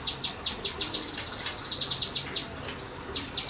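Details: A kinoi bird in a semi-natural setting sings high, sharp ticking notes about four times a second, breaking into a fast rattling burst midway, over a faint background hiss.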